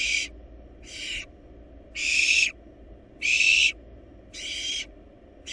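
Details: Barn owl nestlings, wild, in a monitored nest box while feeding on a large rabbit: rasping, noisy screech-hisses, six bursts in under six seconds with uneven gaps, over a quiet low hum.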